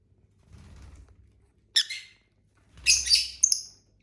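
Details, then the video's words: Pet lovebirds from a household flock of six, eating and singing: low fluttering rustle, then a sharp scratchy chirp and a longer burst of harsh, overlapping high chatter ending in a quick squeak. "Bird sounds for lonely lovebirds (Eating, Singing & Chirping Sounds)"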